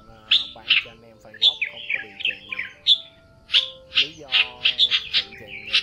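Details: Red-whiskered bulbul flock call, male and female, used to lure birds into traps: sharp, buzzy notes, some sliding down, in an irregular chatter that quickens toward the end, above low sustained tones.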